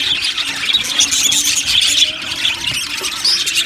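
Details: Budgerigar colony chatter in an aviary: quick high chirps, squeaky whistles and rasping notes pile over one another in a constant busy chorus.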